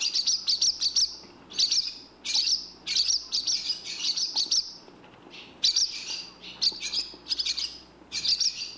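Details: Barn swallow (Hirundo rustica), call.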